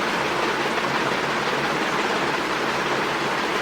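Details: Dense, even roar of rushing water or rain fills the whole stretch with no animal call.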